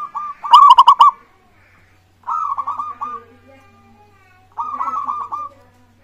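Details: Zebra dove of local stock, its song played to make other birds answer and sing: three loud rolling coo phrases, each a quick string of pulsed notes, separated by short silences, with a faint low hum.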